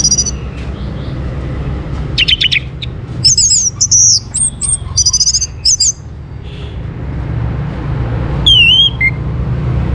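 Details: Song of an orange-headed thrush, used to coax other birds into singing: short bursts of sharp, high whistles and fast chattering notes, then a lone downslurred whistle near the end, with steady low hum beneath.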